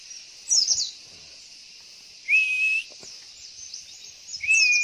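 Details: White-eye (pleci) female call used as a lure to make males answer and sing, heard in front of a house: a brief high twittering burst, then two steady, flat, thin whistles about half a second long, each starting with a quick rise, over a constant high hiss.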